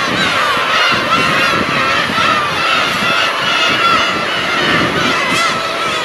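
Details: Large flock of black-tailed gulls gives a nonstop din of cat-like mewing cries. Many birds call at once in a thick, wavering chorus, and one louder upswept cry stands out near the end.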